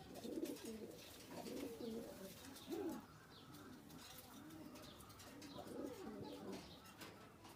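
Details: Indian Kaldom domestic pigeons kept on a pigeon farm, with young birds present; low, rolling coos repeated in bursts, several overlapping, with faint background noise.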